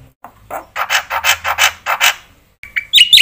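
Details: Black-winged myna in full song, meant to provoke other mynas into singing: a row of harsh, rasping notes in steady rhythm, then a brief pause and a couple of sharp whistled notes.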